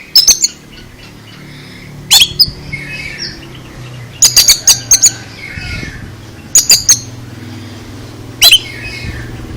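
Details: Oriental magpie-robin with an odd, surprising song: sharp high broadband notes at about two-second intervals, some in quick runs of three to five, with faint softer twittering between and low background hum.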